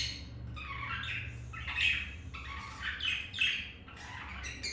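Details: Pet budgies mating, a green male with his mate; muffled raspy warbling chatter in rolling phrases, moderately loud, over a steady low hum.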